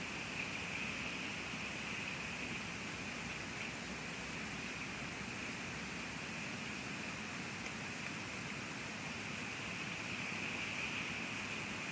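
Steady broadband rushing noise, like wind or flowing water, fills the recording at the Two Harbors eagle nest, with no clear animal call.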